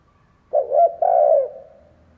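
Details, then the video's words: Spotted dove giving two soft, low, hollow coos, the second longer and fading out, in an otherwise quiet setting, a call used to stimulate other doves to coo. "Chim cu gáy kích bổi , Cu gáy kích bổi mở là gáy"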